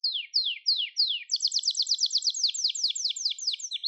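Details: Gloster canary in song: four slow downward-slurred whistles, then a quick run of doubled rhythmic syllables repeated around three per second, ending in rapid descending chirps.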